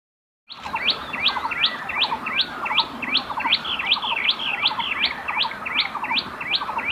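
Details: Common tailorbird, a green-backed bird of parks and gardens across South and Southeast Asia, singing a loud repeated two-part phrase: a sharply rising whistled note paired with lower buzzy notes, about two to three times per second.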